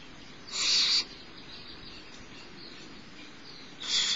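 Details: The smallest barn owl owlet at Starr Ranch, being fed by its mother around 10:28 am on 6 March 2011, giving harsh, hissing snores: one half-second rasping burst, a pause of nearly three seconds, then a second burst starting.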